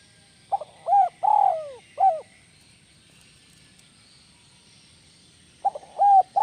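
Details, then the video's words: Spotted dove (tekukur) of the kuk 1 kind, its voice soaring: one phrase of short introductory note, rounded coo, long descending coo and short end note, then a pause of about three seconds before the next phrase begins. "SUARA BURUNG TEKUKUR IDAMAN KUK 1 MELAMBUNG"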